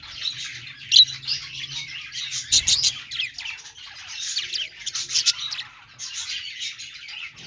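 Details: Budgerigar chatter: continuous high scratchy twittering and squeaky chirps, with one brief rubbing sound in the middle and a faint low hum.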